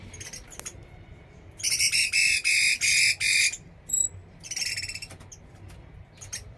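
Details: Chinese hwamei from Da Lat giving a loud burst of about five rapid, evenly spaced harsh whistled notes, then a thin high note and a softer closing phrase amid quiet.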